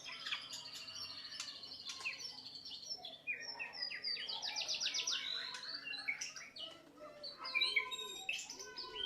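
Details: White-rumped shama training song for other birds: rapid, varied high whistles and chirps, with a fast rattling trill burst near the middle and clear whistled notes later, delivered continuously.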